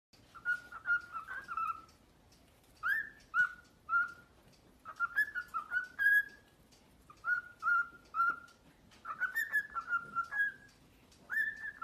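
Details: A pet cockatiel gives clear whistled notes around the middle pitch range, in short rising and falling phrases.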